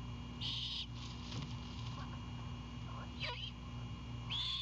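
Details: Great horned owlet chipping at its nest in Savannah as its mother returns with a whole Anhinga at night. Two hoarse, hissing bursts, one early and one at the end, with faint scattered sounds and a low hum between them.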